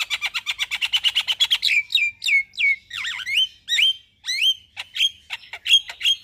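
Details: Javan myna singing in the morning for a bird-training master recording: a rapid rattling series of chattering notes, then loud whistled swoops rising and falling, each repeated with pauses, ending in sharp high chips.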